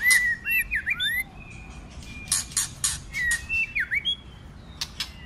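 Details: Fighting song of a white-rumped shama, delivered in many voices; clear sliding whistles and swooping notes alternate with dry clicking bursts, over a low background hum.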